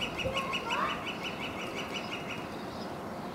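Northern flicker giving a fast run of sharp, evenly spaced notes, about six per second, over a steady wash of background noise.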